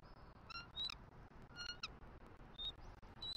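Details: Wild bald eagle pair on a nest in Southwest Florida, filmed by a live nest camera on 6 November 2023. The female calls out for a nest shift change. Short high whistled notes and brief harmonic squeals are spaced over a steady background hiss.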